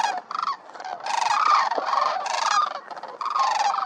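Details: A flock of sandhill cranes lands to join others on the ground at Pixley National Wildlife Area, Central Valley, California, on 19 December 2022. Loud, rolling, trumpeting rattles overlap almost without pause, rising and falling as the flock calls together.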